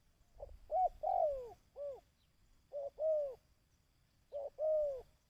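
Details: Decoy-training kích bổi call of a dove. Loud, clear coo phrases with a long drawn-out falling note repeat three times, each opening with one or two short notes.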